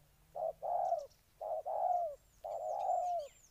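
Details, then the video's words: Spotted dove, Ninh Thuận, Vietnam, singing three mellow two-part coos, a clipped note leading into a longer falling one, while other birds chirp faintly and high in the distance. "Cu gáy Ninh Thuận"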